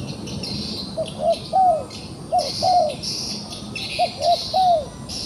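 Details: Three-note cooing phrases from a captured wild dove that is still combative, with two short hoots leading into a long down-curving note, given about every 1.5 seconds over a high buzzing outdoor background.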